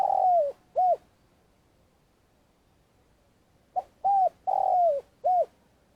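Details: Spotted dove decoy used for trapping, long calling: a long falling coo and a short arched note, a pause of nearly three seconds, then a tight cluster of short arched coos around another long descending coo.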